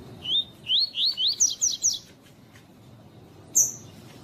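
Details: Double-collared seedeater singing the tui-tui song style, used to warm up and stimulate other males to sing: a phrase of about eight rising slurred whistles that climb in pitch and quicken into sharp downslurred notes, then a single loud click.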